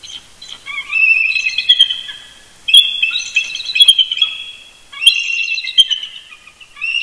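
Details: Eagle couple's early-morning duet, Big Bear Lake, California, Sunday November 18, 2018, near the nest: three long, loud runs of rapid squealing, stuttered chortle notes, almost continuous.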